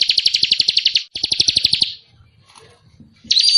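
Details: Birdsong of cililin and ciblek for training a sogok ontong, with two runs of rapid buzzy chips about four a second, a brief quiet gap and a final rising whistle.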